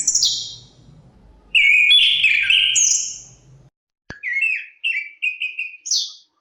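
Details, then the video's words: Chestnut-capped thrush (anis kembang, Zoothera interpres) singing with wind noise: a high slurred whistle, then a loud buzzy rasping phrase and a falling whistle, a pause, then a run of short bright chirped notes ending in a high upslurred whistle. "Suara Kicauan Burung Terapi Anis Kembang Ada Suara Angin"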